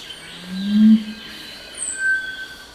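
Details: A Crestless Curassow song, a low humming often given at night: a single deep note that swells and slightly rises before fading, with faint thin whistles in the background.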